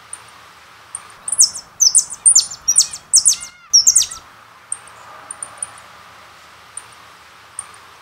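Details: Jilguero (goldfinch) song: a string of loud, shrill, high descending notes in quick succession over about three seconds, then sparse faint high chips.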